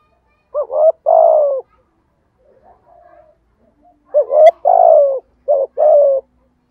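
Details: Lure recording of a spotted dove in the earthy 'thổ thúc gù' style for attracting wild doves. Low two-part coos arrive in three bursts, each a quick note then a sagging longer coo, with one sharp click midway.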